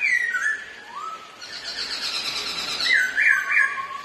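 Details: Black-throated laughingthrushes, a pair of ornamental birds competing in song and dancing, give descending whistles and a rising slur, then a buzzy chatter and quick looping whistled notes.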